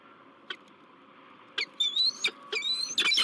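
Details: Peregrine falcons at a La Crescent, USA nest, 16 March 2023, male meeting a new female: loud drawn-out wailing calls, slightly rising and richly harmonic, repeated in quick succession after a few short notes.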